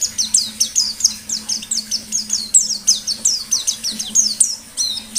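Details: Continuous white-eye song in 'ngalas' style: fast, steady series of high, sharply descending chirps, roughly three to four per second, forming an unbroken twittering stream over a faint low hum.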